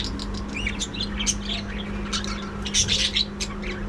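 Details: Budgerigar flock in a captive breeding colony, chattering continuously with quick twittering chirps, short rising whistles and scratchy notes, busiest near the end, with a constant low hum underneath.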